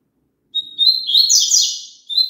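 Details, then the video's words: Double-collared seedeater song, used to prompt a caged bird to sing: a clear whistled opening, then a loud, buzzy, tumbling warble lasting over a second. A new whistled phrase begins just as the recording cuts off. "COLOCA ESSE CANTO PARA SEU PAPACAPIM CANTAR JUNTO"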